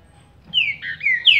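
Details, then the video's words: Caged green-winged saltator, warming up in Paraná liso style after its moult, delivers three or four connected slurred whistles, the last one loudest and highest, against a near-silent background. "TRINCA-FERRO PARANA LISO ESQUENTANDO (APÓS REPASSE DE PENA)"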